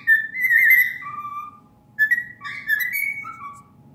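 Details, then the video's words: A cockatiel whistles a clear, tuneful song in two phrases of gliding notes that rise and fall, with a faint low hum behind. "I have never heard a cockatiel sing so prettily!"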